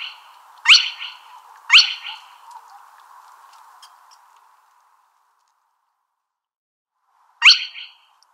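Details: Spotted crake giving its whiplash call: two sharp upward-sweeping notes a second apart, a long quiet pause, then a single further note.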